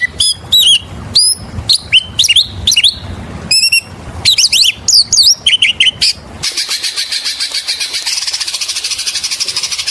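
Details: Oriental magpie-robin lure song: rapid loud sequence of sharp, varied whistled notes and upslurs for about six seconds, followed by a fast, even, high buzzy chatter repeated many times a second.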